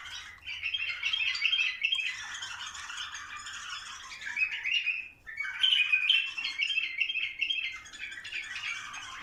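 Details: Bulbuls singing to encourage mating, two long runs of rapid, overlapping chirps and rattling trills separated by a brief pause just after five seconds.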